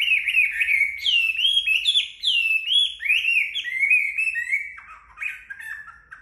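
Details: Sunbathing Chinese hwamei drying off after bathing, pouring out loud, rich whistled song of swooping, slurred notes in quick varied phrases, softening toward the end.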